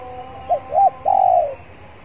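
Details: Male spotted dove kept as a cage bird in Indonesia, warming up before singing: two short soft coos followed by a longer drawn-out coo, over steady background hum.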